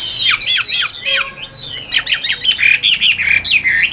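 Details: Caged Chinese hwamei singing loud, varied phrases of sweeping whistled notes and rapid chattery bursts, mostly high-pitched and repeated in quick succession with short gaps.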